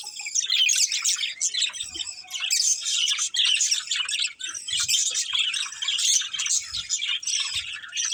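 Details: Budgerigars, a breeding pair kept as pets, chirping continuously: dense high twittering and warbling chatter with squeaky notes, steady throughout with brief soft low thumps beneath.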